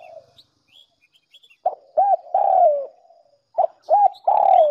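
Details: Lure recording of a spotted dove for attracting doves: quiet short notes open, then two phrases, each a clipped note, a looping note and a long, steady coo falling at the end; faint twitters above.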